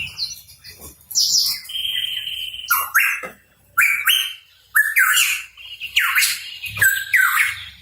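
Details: Hooded pitohui, singing energetically, gives a long level whistle, then a string of loud raspy notes with rising whistled starts, over a faint low background hum.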